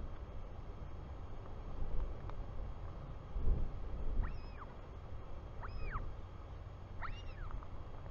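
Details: Royal albatross chick, New Zealand, on the afternoon of 24 July 2020 when its father lands home: after four seconds of wind, three rising-and-falling whistled calls arrive about 1.4 seconds apart.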